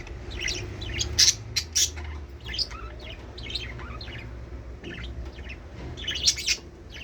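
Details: Budgies calling to stimulate mating: busy, continuous high chirps and squeaky notes, several sharp loud peaks early and near the end, with a faint low hum beneath.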